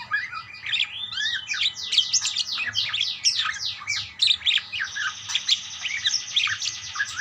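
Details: Parakeets calling back and forth: a tumbling run of quick sweeping chirps and scratchy warbles overlapping continuously, ending in a buzzy rasping chatter, with low hum underneath.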